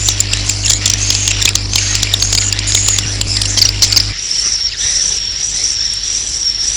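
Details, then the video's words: Swiftlet roosting call: crackling clicks and shrill high chirps over a steady low hum, then the hum drops away, leaving a single thin, high, drawn-out wavering twitter. "Suara Walet Inap"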